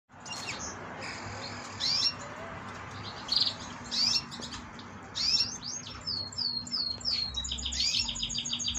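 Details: Young canary, the sole survivor of three chicks from a trio of yellow canaries, with its head plucked bald: scattered high chirps and quick sweeping notes, building into a run of repeated whistled slurs and twitters, over steady background hum.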